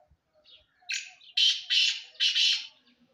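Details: Black francolin calling: a soft lead-in note, then three loud, harsh, grating, buzzy notes in quick succession, each about a third of a second long, over an otherwise quiet background.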